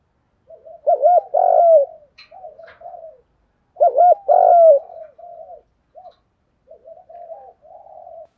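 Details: Spotted dove, recorded for training captive doves, giving a rhythmic 'giọng đồng thúc gù' cooing: two loud low phrases, each a short coo, a long rolling buzzy coo and a short coo, about three seconds apart, then softer murmured coos.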